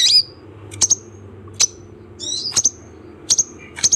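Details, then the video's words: Kolibri ninja sunbird, played to coax a reluctant caged bird into singing: sparse, sharp, very high chirps and short twitters spaced irregularly, over a low steady background hum. "Terapi Kolibri ninja malas bunyi"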